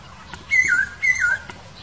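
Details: Two matching whistled phrases from a wild laughingthrush, each a high held note that slides down to a lower whistle, about half a second apart, with faint clicks in the background.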